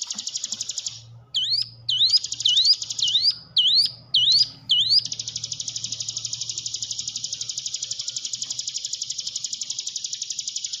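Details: Hill prinia used as a lure to get a silent caged bird singing: a brief high buzzy trill, then seven loud upslurred whistles spaced about half a second apart, followed by a long, steady rapid trill.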